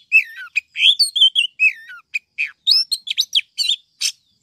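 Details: A female Oriental magpie-robin, used as a lure to draw wild males, gives a rapid run of varied rising and falling whistles and chirps in quick bursts over four seconds.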